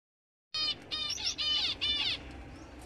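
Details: Finch singing a fast phrase of bright, harmonic-rich chirps in several bursts, with slurred notes and short trills between them, beginning after half a second of silence.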